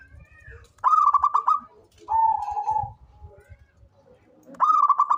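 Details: Zebra dove of a local strain, a keen caller used as a lure bird, gives two quick rolling bursts of clipped coos, with a smoother drawn-out cooing note between them and faint low rumbling noise.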